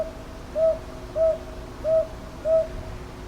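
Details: Northern boobook recorded 22 May 2023 in Ichijoji, Sakyo Ward, Kyoto, with a TASCAM DR-100MKIII: four evenly spaced low hoots about two-thirds of a second apart, soft and rounded, over a faint steady hum.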